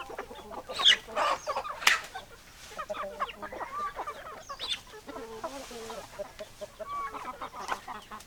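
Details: Hens and roosters together, many overlapping clucks and short calls from several birds, with a few sharper loud squawks near the start and softer chatter throughout.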